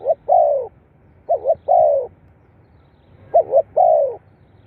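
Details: Spotted dove cooing, meant to prompt captive birds to call. Three clear phrases are heard, each a wavering double note and then a long, smooth descending coo, separated by about a second of quiet.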